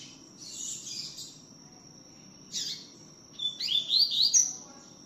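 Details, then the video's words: Double-collared seedeater in tui tiu style song, singing a lot: soft scratchy bursts first, then a quick phrase of bright, slurred whistles, each note swooping upward, over a constant faint high-pitched hum. "COLEIRO TUI TIU CANTANDO MUITO"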